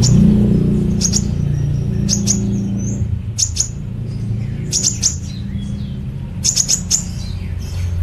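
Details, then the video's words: Kept kolibri ninja sunbird in nembak cililin song: paired sharp high chips and short twitters, repeated in clusters roughly every one to one and a half seconds, with low background rumble. "Koibri Ninja Gacor Nembak Cililin"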